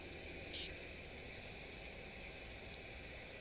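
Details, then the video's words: Three-banded plover at a Sabi Sands waterhole, 15 April 2025, giving its typical call when flying over water: two thin, high, slightly rising whistled notes about two seconds apart over a steady insect hiss. "So it's a three-banded plover vocalizing right now."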